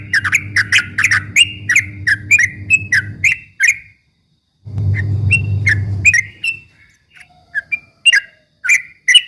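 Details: Yellow-vented bulbul (trucuk ropel) bait song used to provoke rivals: a quick series of chirped whistles over a low droning hum, a short gap, then scattered single notes.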